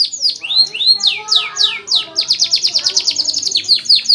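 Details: Canary song for teaching young canaries: a few slow loud swooping whistles, then a dense, very fast trill of repeated sharp descending notes running to the end.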